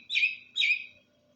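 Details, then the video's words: Greater green leafbird singing softly at night after bathing: two short, bright chirped notes at mid-high pitch, about half a second apart, with a faint low hum behind. "beres mandi malem sambil kicau tipis-tipis"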